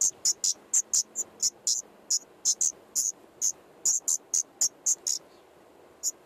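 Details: Common nightingale at a nest of five chicks in an attic, 15 May 2014, daytime, fed by both parents: short, very high, hissy notes in an uneven series of about two per second, with faint background hiss.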